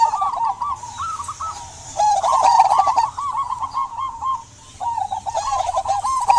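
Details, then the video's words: Song of a local zebra dove in strong voice, meant to stimulate silent doves to sing. Fast strings of soft, rippling coos come in three bursts with brief gaps between them, over steady background hiss and scattered clicks. "Perkutut lokal gacor buat pancingan perkutut pendiam agar bunyi"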